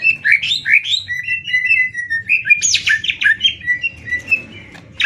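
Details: Greater green leafbirds, Banyuwangi versus Kalimantan, competing in song: continuous varied whistles, slurred notes and buzzy chatter, sliding up and down in quick succession, with low background rumble.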